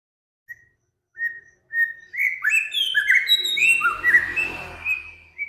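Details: Cage songbird on a master recording meant to train other cage birds (Samyong, Kancilan Flores, Garugiwa named): a few spaced whistles build into a loud, fast, overlapping warble of slurred whistled notes.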